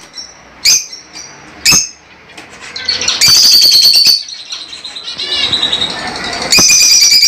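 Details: Lovebirds, small pet parrots, trading a few sharp chirps before breaking into loud continuous shrill chattering and screeching.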